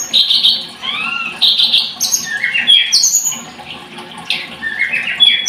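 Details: Thin, high chattering and buzzy trills from a blood-breasted flowerpecker, with scratchy squeaks and falling whistles in uneven bursts.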